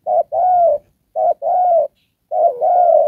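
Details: Trapping decoy spotted dove cooing, "Đồng Pha" type: three close pairs of a clipped note followed by a longer, slightly falling hoarse coo, the last pair slurred together.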